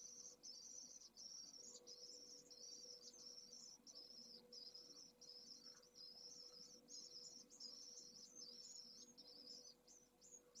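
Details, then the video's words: A few-hours-old pallid swift chick from a second laying calling insistently to be fed, Esclavas de Jerez nest, Jerez de la Frontera, 2022: high, buzzy, wavering trills in rapid series for ten seconds, quieter toward the end, over a faint steady hum. "PRIMERAS CEBAS pollo de 2ª puesta - Vencejo pálido"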